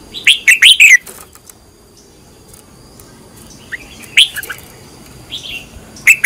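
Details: Red-whiskered bulbul being trained as a decoy in the fiery căng lửa manner opens with rapid, loud, slurred whistled chirps, falls silent, then returns with short bright phrases near the end.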